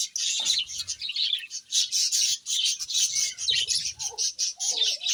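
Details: Pet parrots calling nearly continuously: dense, rapid, harsh high-pitched chattering pulses, closely repeated with brief gaps, plus a few lower squeaky notes.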